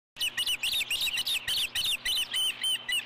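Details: Osprey at a nest on Dunrovin Ranch, 4 April 2014 around 10:57, as the male brings a fish to the female; rapid high whistled chirps, slightly rising then falling, repeated about four times a second in a steady excited series.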